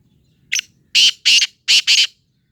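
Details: A Sindhi teetar, or black francolin, gives a clipped opening note followed by four rasping, scratchy notes delivered as two quick pairs, loud and clear against an almost silent background with slight low rumble.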